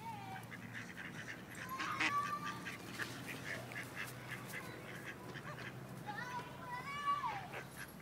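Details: Ducks in Wilmington, North Carolina, several rejected males forcibly mating a female; drawn-out whistled notes that rise then drop, mixed with irregular harsh quacks and a steady background hum.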